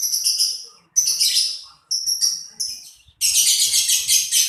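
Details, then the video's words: Lovebird chatter in loud grating bursts of about a second each, separated by brief gaps, closing with a sustained buzzy trill. "LoveBirt_Bunyi suara burung"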